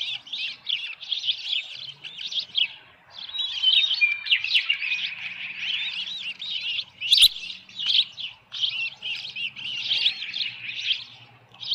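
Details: Osprey nest at Dunrovin Ranch, evening of 10 June 2018, headless fish delivered; long run of moderately loud, high twittering chirps and squeaks, with one sharp loud note midway and a faint low hum beneath.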